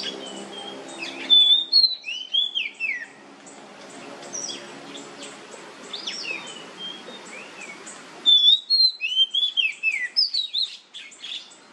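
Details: Oriental magpie-robin in nyemplong style, sound used as a lure to make other magpie-robins sing. It gives bright whistled slurs, rising and falling in two bursts, over a steady hiss of background noise.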